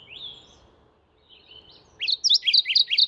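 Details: Mourning warbler calling: a burst of about six rolling, slurred phrases near the end, preceded by thin drawn-out whistles from another bird and faint low background hum.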